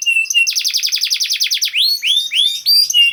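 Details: Canary song meant to coax silent canaries into singing: a fast, even trill of about a dozen sharp notes, followed by a few rising whistled sweeps.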